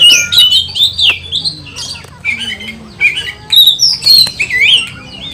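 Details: Excited oriental magpie-robin (kacer) singing an emotional, provoking 'kanibal' song aimed at riling other magpie-robins: harsh squawky phrases mixed with sweeping whistles, delivered in uneven bursts about twice a second, with a faint low hum behind.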